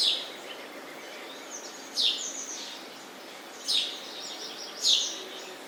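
A sparrow gives four short, bright chirps, each dropping slightly in pitch, spaced one to two seconds apart over a steady background hiss.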